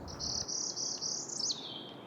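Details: On a spring morning in Maine, a Northern Parula gives a high, buzzy trill that climbs steadily for about a second and a half and ends in a sharp snapped note.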